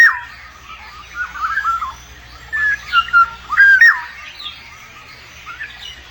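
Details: Black-naped oriole while raising chicks: soft liquid whistles early on, then a louder run of mellow fluted notes near the middle, each sliding and looping, fading to quiet, over a steady low background hum.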